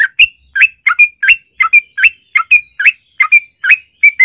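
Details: Bubbly paired chirps from a yellow-vented bulbul in long 'ropel' song, used to make other bulbuls sing, repeated roughly twice a second.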